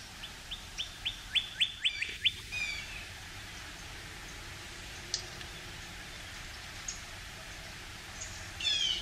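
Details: Male Northern cardinal in a pine tree early on a spring morning: a short burst of rapid downslurred whistled notes that grows louder, then near silence with a few scattered faint chips and a closing whistled phrase.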